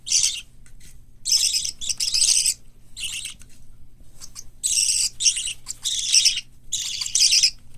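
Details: White lovebird, cockatiel and budgerigar chicks, growing well indoors before hand-taming training. Rough, wheezy rasps come in irregular bursts, some doubled, with quiet gaps and faint ticking between.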